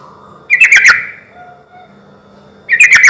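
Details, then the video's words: Yellow-vented bulbul lure song used to prompt answering bulbuls: two bright, gurgling phrases of several quick notes, separated by a pause of nearly two seconds. "suara trucuk gacor ini ahlinya bikin pancingan trucuk yg macet akibat ombyokan pasti nyaut bunyi"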